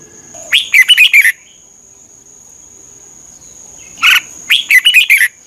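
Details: Two brief phrases of Red-whiskered bulbul song from Thailand, used to train or excite caged birds: quick bubbly whistled notes rising and falling, separated by a quiet gap with a faint high steady hum.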